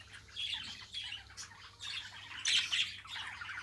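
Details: Tamed pet budgerigar giving short raspy squawks and squeaky chirps, a louder harsh burst in the latter half, with faint low hum behind.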